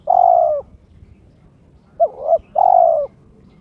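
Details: Kept spotted dove in breeding condition, challenging a rival, with a clear crystal voice: three coos, a long level note, then a short broken two-part note and another long falling-ended note, with quiet low rumble behind.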